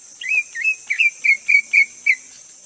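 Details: Greater green leafbird: a series of bright, clear whistled notes, each with a slight upward flick, repeated about three times a second over a steady high insect hiss.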